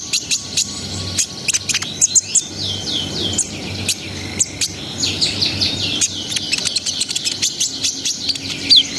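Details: Brown-throated sunbird in vigorous 'ngriwik ngerol sambung nembak' song, used to raise breeding arousal: shrill ticks leading into fast chattering runs of slurred high whistles, then a long rambling twitter.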